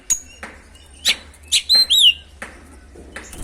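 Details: Oriental magpie-robin (kacer) in full song, used as a lure to provoke other birds: sharp broadband clicks followed by loud whistled notes sweeping up and down around high pitch, with a steady low hum beneath.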